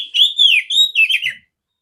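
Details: Strong, clear whistled song of a female oriental magpie-robin, used to train other magpie-robins. Slurred, descending and wavering whistles run together in one continuous phrase that stops abruptly.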